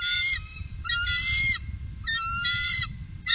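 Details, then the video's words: Three bald eagles on the Upper Mississippi in 2018 give harsh, harmonic, piping squeals in bursts of about half a second, three and a half bursts in the span, with a low rumble of background noise beneath. "Trio Bald Eagle"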